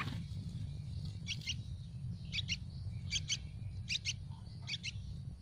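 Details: Nestling Yellow-vented bulbuls begging for food in a tree nest: high paired chirps repeated roughly every second in an uneven rhythm, set against a constant low-frequency drone.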